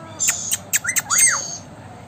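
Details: Indian ringneck parakeet in blue colouring, a talking bird: a few sharp clicks and squawks followed by a loud arched whistle that rises then falls, fading into hiss.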